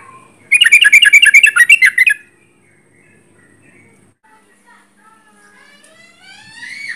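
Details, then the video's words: Sooty-headed bulbul at close range: a rapid, harsh chattering run of about a dozen buzzy notes lasting under two seconds, then quiet with faint rising squeaks near the end. "Trucuk gacor jarak dekat"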